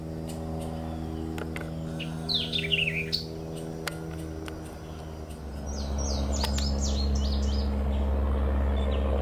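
A white-eyed vireo gives a quick, emphatic burst of slurred, falling notes, then a later run of sharp, clipped chips, over a steady low engine rumble.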